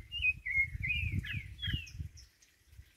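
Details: A thrush (sabiá) singing in a jackfruit tree gives a quick run of clear, slurred whistles, some rising and some falling, with a few higher notes near the end, over a low background rumble.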